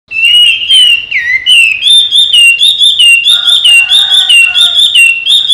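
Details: Caged Chinese hwamei trained by its owner, singing loud, varied whistled phrases that slide and warble, rapid notes repeated about every half second, with richer lower notes joining midway.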